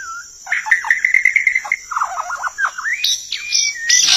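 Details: White-rumped shama recording played to lure birds for trapping: a varied, fluty whistled phrase of wavering and rising notes, ending in sharp, high, buzzy notes over a constant faint hiss.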